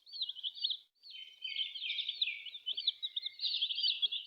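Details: Chicken chicks peeping loudly and continuously, many shrill looping cheeps overlapping with barely a pause, plus a few faint soft taps.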